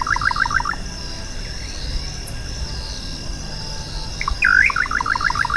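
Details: Little nightjar (Hydropsalis parvula) song: two quick bursts of short, stuttering mid-pitched notes, each about a second long, over a steady high hum of insects.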